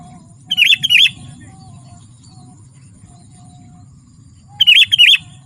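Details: A sooty-headed bulbul sings chattering gacor phrases, meant to call wild bulbuls and tutor young singers: a pair of clear warbled notes, a long quiet gap, then another bubbly pair, with soft background hum.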